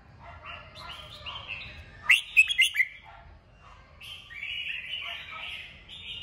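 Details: Red-whiskered bulbul, strong 'kích bổi' song to make birds sing: layered warbling chatter, a loud quick series of four bright whistled notes midway, then more high warbling.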